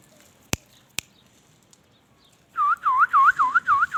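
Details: Indian ringneck parakeet talking: two sharp clicks, then a quiet pause, then a rapid, rhythmic string of five loud U-shaped whistled notes, each about a third of a second apart.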